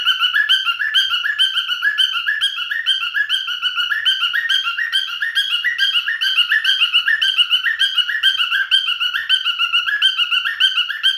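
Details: Pet male cockatiel in song, a long unbroken stream of bright, chirpy whistles with short rising slurs, repeated steadily a little over twice per second throughout.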